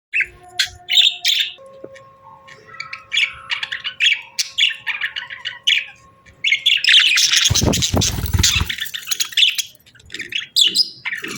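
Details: Pet budgies chirping and singing: bursts of short, bright, buzzy chirps and warbles, then a loud, dense stretch of overlapping chatter with a low thump midway, before the sparse chirps return.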